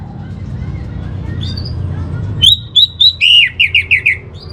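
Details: Orange-headed thrush master song played for a home-kept bird's emotional and breeding balance. Soft distant notes lead into loud clear whistles, then a quick run of five or six repeated slurred notes over low background noise.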